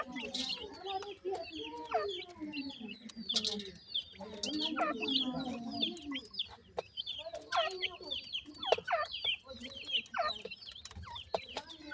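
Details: Francolin chicks fed on termites call over twelve seconds. Rapid high, down-slurred peeps from several birds overlap, with lower drawn-out tones in the first half.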